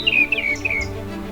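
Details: White-browed scrub robin singing a few steps away in Tanzanian savannah SW of Lake Eyasi, during bird breeding season in February–March 2024: a quick run of sweet, high whistles sliding downward within a second, over soft background music.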